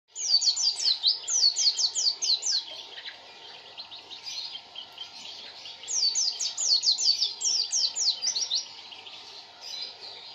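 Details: White-eye (pleci) singing two long bursts of fast, high, sharply descending whistled notes. The notes are tightly packed, about one every half second or quicker, with a quieter chattering pause between the bursts.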